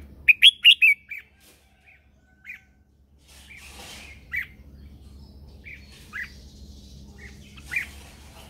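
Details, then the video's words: Red-whiskered bulbul used as a decoy, singing in the morning to call others: a rapid opening run of loud whistled notes, then short sharp notes spaced irregularly, with a brief rustle. "Luyện giọng cho chào mào hót sáng căng lửa kích chim mộc hót siêu hay, Chào mào mồi hót gọi bổi"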